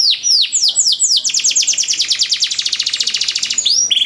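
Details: Canary training song with luxurious cengkok phrasing: a few spaced descending whistles speed into a long, rapid, even trill of downward-sweeping notes lasting over two seconds, then a brief buzzy ending.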